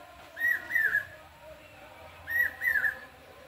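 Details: A common hawk-cuckoo calls on a morning during Durga Puja, giving two loud whistled phrases, each a quick run of notes, about two seconds apart, over a faint background hum.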